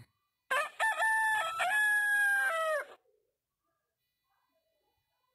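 A rooster gives one loud, harmonic cock-a-doodle-doo crow that rises, holds, then drops at the end.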